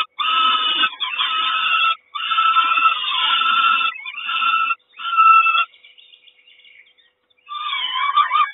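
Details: At a peregrine falcon nest in Kawęczyn on 3 June 2022, with the mother feeding: loud, harsh, even-pitched wails in separate bursts of about a second, then a long near-silent gap before the cries resume.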